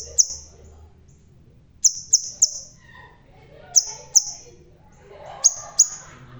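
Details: Energetic bald crimson sunbird: isolated very high, sharp notes, mostly in pairs or triplets, about two seconds apart, each ending in a brief ringing whine.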